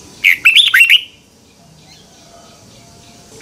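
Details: A red-whiskered bulbul sings in the morning (2021), used as a training or lure song: a quick burst of bright, warbling, up-and-down notes lasting under a second, then quiet, with one more note at the end.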